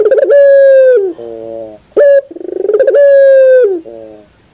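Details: Puter dove cooing, played as five minutes of sound therapy to get a kept puter to sing: long, steady, hollow coos about a second each, broken by short lower rolling notes, clean and loud with no other sounds.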